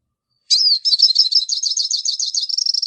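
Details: Hooded siskin (pintassilgo baianinho) sings a quick drawn whistle followed by a long stream of rapid, high, rolling twitters and trills, steady and clean with no background sounds.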